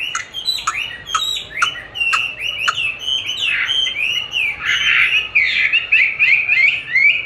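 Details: Chinese hwamei singing during training with playback of its own song, which it eagerly duels against: rapid varied whistled phrases and sharp chips around the upper register, delivered in quick succession with shifting pitch.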